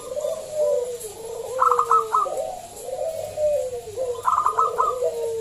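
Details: Local zebra dove with a strong voice, played to lure others into singing: soft falling coos broken by two runs of rapid clipped high notes, cooing continuing throughout.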